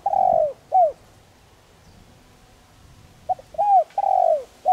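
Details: Gentle calling coo of a spotted dove, played to prompt decoy birds to coo: the end of one low, hollow phrase, a pause, then a full phrase of a short note, a rising coo and a long drawn falling coo.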